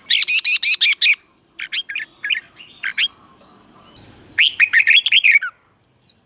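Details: Red-whiskered bulbul, a caged competition bird, singing a doubled-style song played for other birds to copy: a quick run of seven sharp, evenly spaced chirps, then short slurred whistles, and finally a rich warbled phrase.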